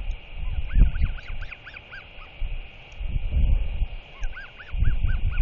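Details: Royal albatross chick, 121 days old, at its nest on 21 May 2023, excitedly wheeing and begging a visiting neighbour adult for food. Short arched, whistled squeals come in quick bursts of three to five, over constant heavy wind rumble.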